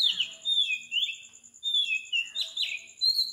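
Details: Oriental magpie-robin in Sri Lanka at 4 am, delivering clear, loud whistles that bend down and rise again, several per second, with a faint high pulsing background tone.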